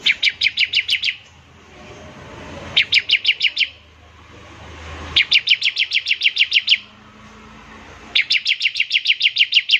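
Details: Bar-winged prinia pouring out ngebren trills as a lure for other prinias: four rapid bursts of crisp, high, evenly repeated notes, each lasting one to two seconds. Soft background noise is audible between the bursts.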